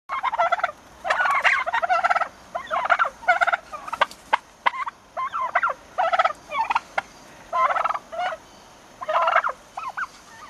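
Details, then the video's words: Young turkeys nearly six months old giving loud, harmonic, rattling gobble-like calls in rapid bursts of about half a second, repeated almost continuously with short pauses, several birds overlapping. "Baby turkeys making turkey sounds!"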